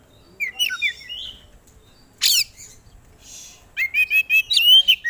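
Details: Oriental magpie-robin, a competition songbird, singing varied phrases: twisting whistled notes, a harsh broadband rasp, then a quick series of bright chips ending in a clear rising whistle.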